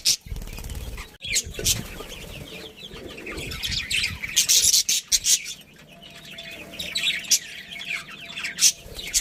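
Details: Budgerigar breeding pair and family chirping: high chattering twitters and squeaks in uneven bursts, a few sharp clicks, and faint low rumbling at the start.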